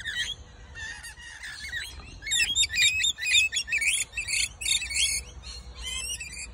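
Rainbow lorikeet fledglings give harsh, rapid, high screeches and chatter, about two a second, in overlapping bursts.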